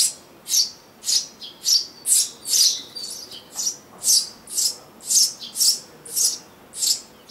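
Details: Eurasian tree sparrows nesting as a family in a garden nest box in summer 2012, a pair breeding there annually; rapid, uneven run of about thirteen high hissing chirps, some doubled, with small softer notes between.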